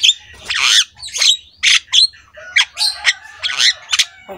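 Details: Black-winged myna master song meant to prompt other mynas to sing: loud, raspy squawks mixed with short whistled notes in uneven bursts, with a low rumble beneath.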